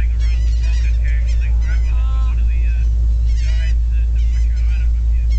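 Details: Several laughing gulls following a boat out to sea on a pelagic trip, attracted by chopped fish, give overlapping nasal, yelping calls, some rising and falling, over the steady low drone of the boat engine.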